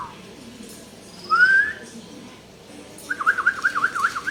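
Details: Common hill myna imitating speech: one short rising whistle, a pause, then a quick wavering series of warbled whistled notes.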